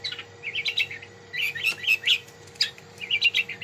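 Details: Long-tailed shrike giving warbled, twittering phrases of quick rising and falling chirps in three bursts separated by brief pauses, with a faint hum in the background.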